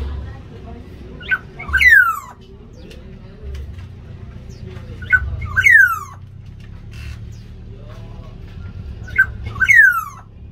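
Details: Caged black-naped orioles fighting over territory in an aviary; repeated loud slurred whistles sweeping downward, about every four seconds, with short nasal notes before each and low background rumble.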